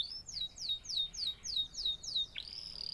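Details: Canary repeating a slurred, downward-sweeping whistled note about seven times in quick succession, then rising into a long steady high whistle.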